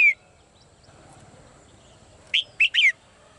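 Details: Female bird in a cage: a single falling whistle, faint quiet chirps, then a quick series of three sharp downslurred notes.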